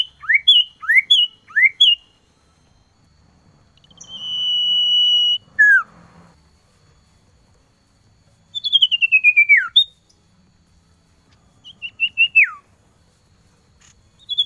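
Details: Varied calling of a male common iora (cipoh) to a female in the cold season: three sharp falling whistles, a long steady whistle ending in a drop, then rapid descending pulsed trills.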